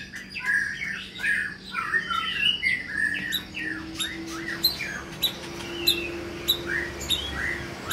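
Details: Caged white-rumped shama, a new long-tailed bird of the Medan type in an exercise cage, gives short whistled and chattering notes in bursts, with sharp clicks and a rising low drone behind.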